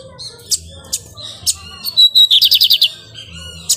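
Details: Pirate-type song of a nesting lined seedeater: scattered sharp chips, then two level whistled notes followed by a rapid series of around seven repeated buzzy descending notes, high and bright, over a low background hum.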